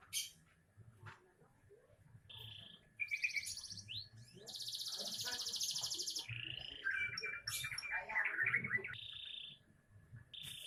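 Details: A young canary gives a song of fairly quiet chirps leading into loud, harsh buzzing bursts, short steady whistled notes and quick twittering phrases, with a faint low hum behind.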